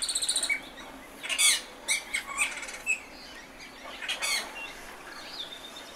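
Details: Song of an Austral thrush: a fast stutter of sharp notes, then scattered squeaky high phrases and a final downslurred whistled note.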